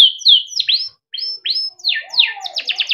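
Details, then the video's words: Timbrado canary's melodic song for training, made of separate swept whistles, some rising and some falling, with a short pause, ending in a quick run of sharp repeated notes. "Timbrado canary singing beautiful melodic songs for training and listening"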